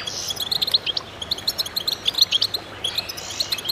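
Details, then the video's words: Group of goldfinches singing in concert to encourage other birds: quick clusters of tinkling high notes, irregularly spaced, with short buzzy trills mixed in. "voices a chorus of goldfinches in concert to stimulate birds"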